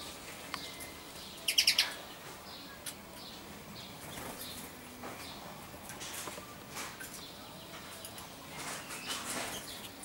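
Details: Common starling (Sturnus vulgaris), recorded 26 May 2016, giving a burst of harsh, clicking notes near the start, then scattered high squeaks and rattles over a steady background hiss.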